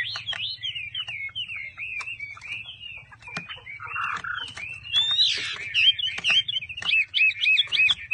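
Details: Chinese hwamei kept in a cage, singing a continuous run of fluid whistled notes and warbles, some rolling and trilled, louder toward the end, over a faint low hum.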